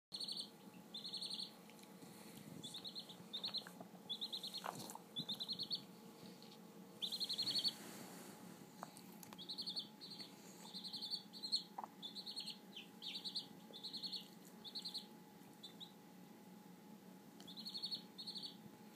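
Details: A three-day-old Copper Marans chick, handled gently by a Staffordshire bull terrier, peeps in rapid high, piercing bursts over a faint steady hum.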